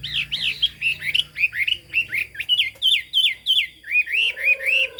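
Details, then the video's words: Hwamei delivering 'cao cầu' song: a brisk, bouncing chain of curved, up-and-down whistled notes, about three per second, and a low steady whistle underneath near the close. "Họa mi hót cao cầu"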